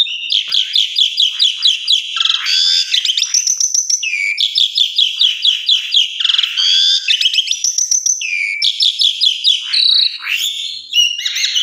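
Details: Asian pied starling in full song as a morning lure to get other starlings answering; continuous, loud, rapid chattering with repeated downslurred notes and high whistles, coming in phrases every few seconds.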